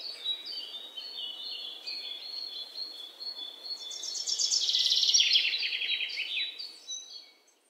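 Sparrows chirp steadily in short, bright notes, several birds overlapping, rising to a louder burst of rapid chattering chirps midway before fading.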